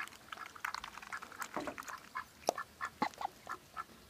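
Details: A female pet duck utters short nasal quack notes in a quick, uneven series, mixed with sharp clicks and tapping noises.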